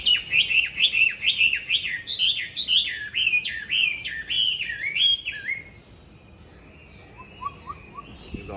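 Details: Chinese hwamei kept in a cage, singing on a strongly windy first cold day after warm weather: a long run of rapid, repeated slurred whistles, each dipping and rising, for over five seconds, then a few soft, low notes.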